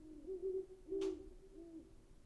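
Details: Two rich, low hoots of a great horned owl, the second overlapped by a short sharp click, then a softer fading hoot.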